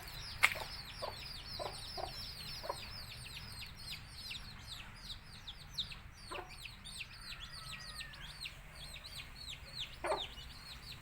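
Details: Chirping chicks of a Tamil country chicken flock: many overlapping high, downslurred peeps in a steady chorus, a few sharp lower clucks and knocks, and a soft hum throughout.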